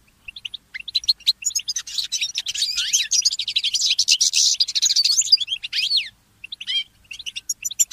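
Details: Goldfinch mule singing in the early morning: a fast, dense run of high twittering and chirping notes with some rising and falling slurs, a brief break near the sixth second, then scattered chirps.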